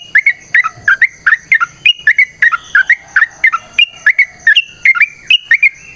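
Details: Sooty-headed bulbul in long, energetic fighting song for luring others to respond: steady run of short, fluty notes sliding up and down, delivered in tight clusters almost without pause, a thin constant high tone in the background.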